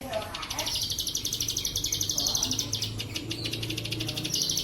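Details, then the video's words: Plain prinia, a Cililin-style trill prepared as a training recording for pet birds: a long, fast, buzzy series of high clicking notes, about four per second, with a low hum underneath throughout. "masteran terbaik ciblek sawah bren cililin suara jernih"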